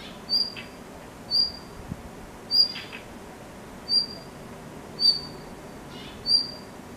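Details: Blue rock thrush perched on a utility pole in Hirakata, Osaka, around 4:41 pm on June 1, giving a thin, high, clear whistled note repeated roughly every 1.2 seconds over faint background hiss.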